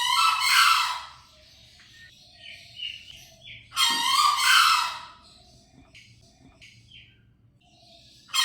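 Green junglefowl giving two hoarse, squeaky crows about four seconds apart, each a harsh burst roughly a second long. Faint small chirps come between them.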